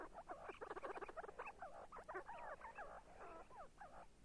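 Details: See-see partridge (local name kabgi zirak) calling: a rapid run of short chirping notes, several per half second, some with bent, rising-falling shapes, continuing steadily without pause.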